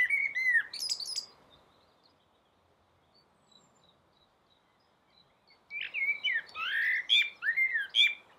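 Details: Common blackbird singing from a rooftop during the dawn chorus: a low fluted warble ending in thin high squeaks, then a long silence before a second, busier phrase of rich whistles and twittering.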